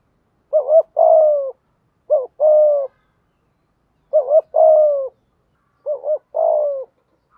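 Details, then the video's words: Spotted dove coos in the 'thúc gù' urging style, meant to make wild doves answer quickly. Four repeated phrases, each a short wavering double note followed by a longer level coo, sound at steady intervals in clean surroundings. "chim cu gay thuc gu, chim cu gáy bài bản giúp bổi nghe gáy theo và rất nhanh nổi"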